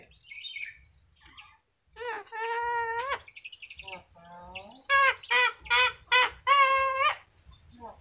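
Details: Yellow-crested cockatoo talking: loud, harmonic, speech-like syllables, some flat and held, some short and bent, in bursts separated by brief pauses, ending in a run of five quick, even phrases.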